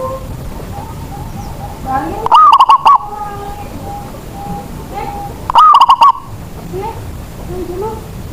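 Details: Local zebra dove kept as a lure bird whose cooing prompts other, quiet doves to sing: two loud cooing phrases about three seconds apart, each a rising note then a quick stuttering run, with soft chirps of other birds around.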